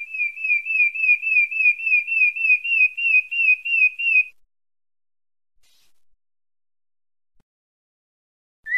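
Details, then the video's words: Thrush, sabiá-parda from Bahia, Santa Fé, giving a fast run of about fifteen identical short whistled notes at an even pace for four seconds, then silence before one falling whistle at the end. "SABIA PARDA DA BAHIA SANTA FÉ"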